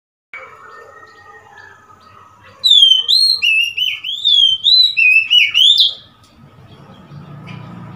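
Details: ['Oriental magpie-robin recorded 3 March 2021: after faint background hum, a loud phrase of about eight clear whistled notes, slurred up and down and alternating high and low, lasting about three seconds, then quiet.']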